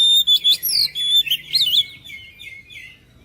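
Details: Oriental magpie-robin delivering a loud, fast burst of clear whistles and warbled slurs. The burst fades into softer descending notes over about three seconds.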